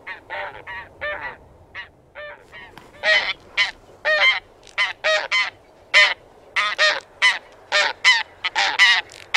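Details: Several taiga bean geese (Anser fabalis) calling together, with dense overlapping nasal honks that thicken after the first few seconds into a busy, uneven chorus. Light background hiss.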